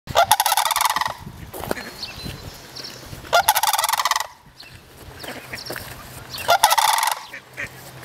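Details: Three sandhill cranes at Reifel bird sanctuary give loud, rolling, rattling bugles in three bursts about three seconds apart, with softer purring calls between.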